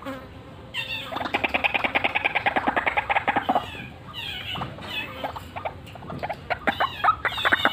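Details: White-breasted waterhen giving a full 'ngekek ngeroll' rolling call: a dense burst of harsh, rapidly pulsed notes lasting about two and a half seconds, followed by shorter broken pulse series and scattered clucking notes.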